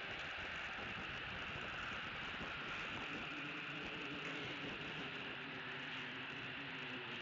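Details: Only a constant broadband hiss with a faint mechanical hum is heard, with no animal calls.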